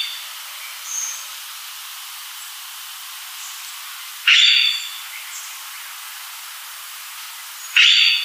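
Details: Palawan peacock-pheasant in the Philippines giving two loud, harsh, rasping bursts about three and a half seconds apart, with faint high whistles from other birds in between.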